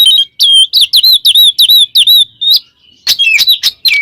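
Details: Ngeplong song of an Oriental magpie-robin challenging a rival: a rapid series of bright, looping whistled notes repeated about three times a second, a thin level whistle, then several loud chirps ending in downslurs.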